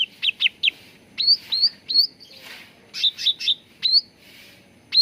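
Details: Cucak ranting bulbul singing in a lure for training birds: three buzzy notes, several rising whistled slurs, another short buzzy trio, then more upswept whistles.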